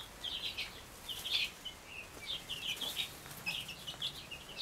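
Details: Chicks with their mother hens resting together in a crowded but peaceful coop, four broods in all; rapid high, thin peeping notes come in clustered runs throughout, with faint hiss behind.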